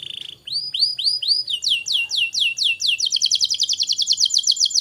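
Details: Canary tutor song for young birds: a short buzz, then looping upslurred whistles that quicken into a rapid, steady series of high downslurred notes.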